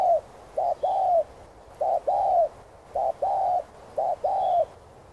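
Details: Spotted dove in Vietnam cooing steadily: four phrases, each a short hollow note then a longer sustained mellow coo, repeating roughly once a second, with faint distant chirps behind.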